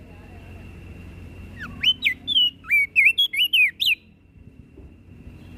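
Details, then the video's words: Flores crested white-eye in full song, meant to agitate listening birds: about a dozen rapid slurred whistles, some dropping, some rising, packed into two seconds, against a faint steady high tone and low rumble. "Opior Jambul flores Gacor Bikin Emosi Burung Yang Dengar Pasti Langsung Ribut"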